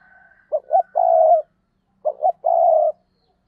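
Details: Lure spotted dove cooing to bring in others: two quick phrases about one and a half seconds apart, each two short hoots ending in a prolonged coo.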